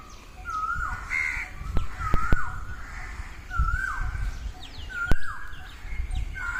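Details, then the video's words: Peacocks in a field at early morning giving repeated loud, wavering cries that bend up then drop, with other birds answering, over a low rumbling background and several sharp clicks and knocks. "early morning peacocks in field"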